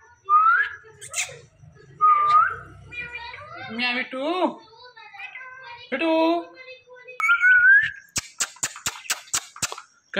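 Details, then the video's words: A talking Indian ringneck (rose-ringed) parakeet chatters in a speech-like voice, saying words like "hello" and "meow", between bright rising whistles, ending with a quick run of sharp clicks. "Indian Ringneck Parrot Talking"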